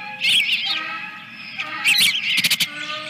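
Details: Osprey at its nest holding eggs, at Dunrovin Ranch on 24 April 2022, when the second egg appears: loud series of high, arched whistled chirps, then a burst of sharper rapid notes, over a steady background hum.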